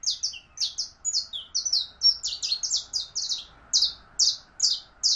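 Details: Canario criollo, the saffron finch, in full song: a fast, continuous string of high, clipped tweets, some doubled, tumbling along at an even brisk pace for the whole stretch.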